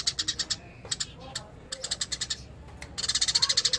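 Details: Eurasian tree sparrow in lively ngerol song: quick runs of sharp high chirps, about three per second, broken by brief gaps and ending in a denser, faster burst.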